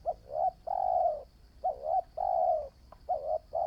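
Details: New decoy spotted dove in training cooing steadily, alternating short dipping two-part coos with long smooth falling coos roughly every half second, low and hollow, against a thin continuous high whine.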